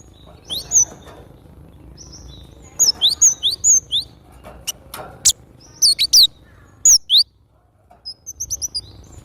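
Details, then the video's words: Javan grey-throated white-eye song: bright, very high, thin chirps and quick slurred notes, given in short clusters separated by pauses, with a few sharp clicks and faint low background hum. "Suara asli burung glatik batu gacor"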